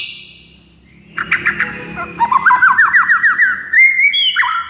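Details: Murai batu, or white-rumped shama, song: scratchy chattering notes build into a fast rolling trill of repeated slurred notes, ending in loud, clean whistles.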